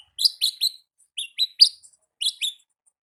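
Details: In the wild, an olive-backed sunbird sings ngalas, delivering clipped high notes in tight groups of two or three, each group separated by a short silence.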